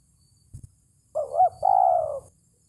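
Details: Spotted dove calling out to a rival, used to lure birds for trapping: after a faint knock, a rising-and-dipping double coo runs straight into a long, steady, faintly pulsing coo that trails off.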